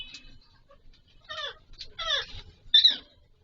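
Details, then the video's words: Mating Alexandrine parakeet, called Pahari Kashmiri parrot: a few scattered harsh, harmonic squawks with quiet gaps, ending in one loud sharp screech. "Raw Pahari Kashmiri Parrot 🦜 🐦 Mating Video"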